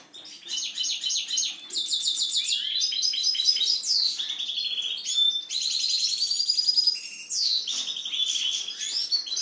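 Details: European goldfinch kept by its owner, singing a fast, continuous twittering song of high tinkling trills, buzzy notes and quick liquid slurs, with brief pauses near two and five seconds.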